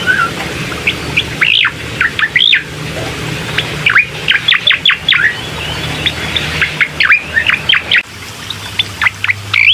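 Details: Bar-winged prinia song used to stimulate a reluctant bird to sing: high, sharp chirps in quick bursts, some swooping notes and some clipped, with short gaps between phrases.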